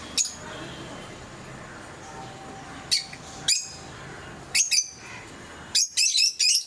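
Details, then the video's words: Pet lovebirds of various mutations indoors giving sharp, high squeaky chirps spaced a second or so apart, ending in a quick run of shrill scratchy squeaks; faint background hiss throughout. "Sounds of love birds"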